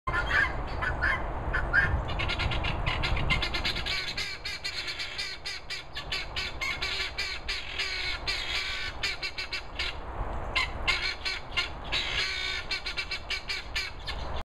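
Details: Helmeted guineafowl that won't come down, perched up in Worcestershire countryside, give harsh, grating calls, repeated rapidly in an overlapping chorus.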